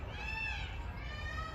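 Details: A peacock gives a single drawn-out, nasal, cat-like wail, like a meow, lasting over a second; it rises slightly, then sags, over a low rumble of outdoor background noise.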